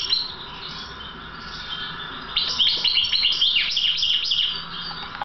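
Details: European goldfinch, trained bird of the balcanica subspecies. After a quiet start, a sudden rush of rapid, liquid twittering and sharp chirps runs to the end.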